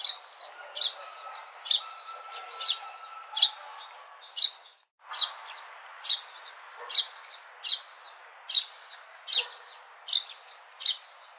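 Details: Sparrow chirping persistently: bright, clipped high notes repeated about once a second, briefly pausing midway, with a faint steady tone and light hiss in the background.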